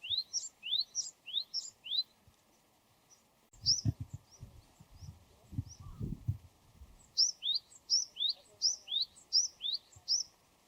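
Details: Wild Japanese tit repeating its high, far-carrying song phrase. Rising whistle plus higher accent note, rapidly repeated in two long runs. Between the runs come a few isolated notes and a stretch of low rustling or handling noise.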